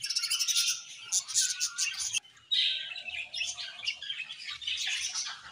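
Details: Budgerigars in a colony chattering, high twittering and warbling that breaks off briefly midway, then resumes with squeaky notes.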